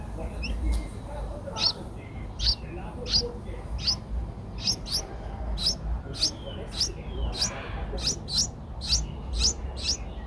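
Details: Young Streak-eared Bulbuls at eight days old, Ubon Ratchathani, Thailand, 10 April 2023, uttering brief piercing high chirps, sparse at first, then about fifteen coming faster and more evenly, some doubled, over low rumbling noise.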